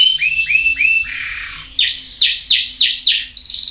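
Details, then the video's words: Canary singing three curved rising notes, a long falling glide, then loud sharp downward-sweeping notes repeated about three per second, ending on a steady high tone. "PANCINGAN KENARI MACET | CANARY SINGING"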